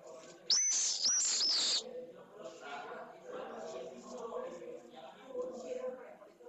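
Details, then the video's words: Pallid swift chick, newly hatched, in a nest at a school in Jerez de la Frontera, Spain, receiving one of its first feedings: loud, shrill, high screeching notes in three bursts, then quieter murmuring background sounds. "Una de las primeras cebas - Vencejo pálido"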